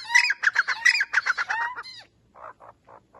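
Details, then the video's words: Grey francolin giving a loud burst of fast, harsh squeaky notes with rising whistled slurs, then falling quiet before a few softer, faint notes follow at the end. "Dahkhni teeter voice. three kinds of sounds dahkhni."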